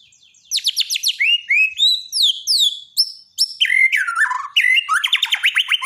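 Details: White-rumped shama of the Borneo type, a daily training song meant for shamas that have stopped singing: rapid rising and falling whistled notes, then rich warbled phrases and quick trills, continuous and loud with no other sounds.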